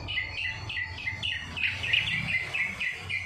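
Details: Greater green leafbird singing a song filled with kapas tembak imitation: a rapid series of short chirped notes, each dropping in pitch, repeated about three times a second, over a low background rumble.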